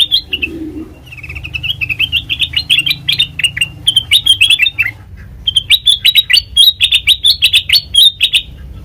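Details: Black-crested bulbul singing as a lure for trapping birds: lively chattering whistles that wobble up and down in rapid runs, a short pause near the middle, then another bubbling burst of similar notes, with faint low hum underneath.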